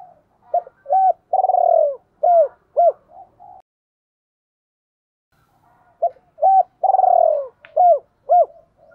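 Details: Decoy spotted dove calling for females in the gáy gọi hai hậu style. Two matching phrases separated by about two seconds of silence. Each has short coos, a long rolling downslurred note, then two crisp hooked notes.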